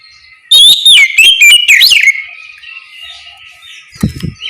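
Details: Morning ngeplong song of an oriental magpie-robin, meant to coax other birds into replying: about one and a half seconds of rich, downward-sweeping whistles, then quiet, with a couple of dull knocks near the end.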